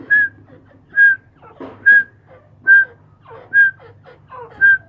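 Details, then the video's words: Kept grey francolins (teetar) produce a steady run of six clear whistled notes about every 0.8 seconds, interleaved with quieter rough, falling chatter, against a constant low hum. "Mairay Teetar Ki Awaz"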